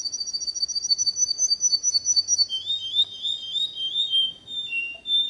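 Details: Canary song to teach young birds: a rapid high chattering trill that descends into a lower, quick rolling phrase, with a faint low hum underneath.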